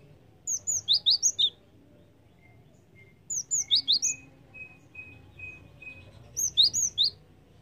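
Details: Three clear bursts of rapid, high, slurred chirps from a Java sparrow, about five notes each and roughly three seconds apart, used as a lure sound; faint pulsing tone between bursts.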